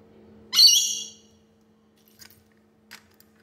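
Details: A rainbow lorikeet flirting with the bird in its mirror reflection gives one harsh, squeaky screech lasting about half a second, with bright layered overtones. Faint soft clicks follow, over a steady low hum.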